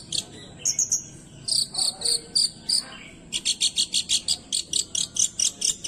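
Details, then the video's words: Original, unedited song of a Long-tailed shrike, meant to rouse other shrikes: high, scratchy chirps, first in uneven bursts, then a fast, even string of sharp notes several times a second. "banyak cendet emosi dengar kicauannya"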